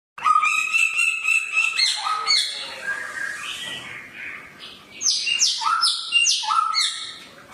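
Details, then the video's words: Samyong bird singing with a sharp voice: loud, harmonic whistled notes that step down and up, followed by a brief quieter pause, then a burst of high, squawky, rising notes. "burung samyong suara pedas"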